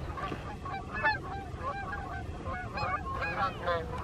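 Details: Flock of Canada geese passing overhead on an evening in summer or fall 2020, a busy chorus of short, harsh honks tumbling over each other throughout, over a steady low rumble.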